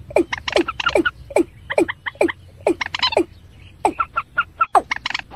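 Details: Watercock (ayam-ayaman), in the slow 'peruk' calling style: dense bursts of hollow, downward-sliding notes mixed with quicker, higher clipped notes, crowded and overlapping over about five seconds.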